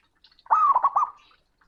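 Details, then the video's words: Local zebra dove male calling out to a rival, loud and booming: a single cooing phrase, a long gliding note followed by a trill of three rounded hoots, then quiet. "Perkutut Jantan Panggil Lawan || suara keras dan menggelegar"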